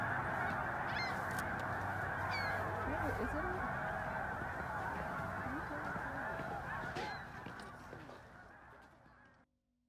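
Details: A dense flock of migrating snow geese at Middle Creek Wildlife Management Area, an early-spring staging area, in 2022, gives a continuous din of high, nasal, barking honks merging into a roar, fading near the end.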